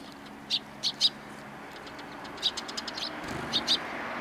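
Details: Sparrows coming to be fed on the main approach to a Tenmangu shrine, 12 April 2020: short, high chirps, three spaced notes early, then a looser scatter of chirps and two final calls, over a soft low hum.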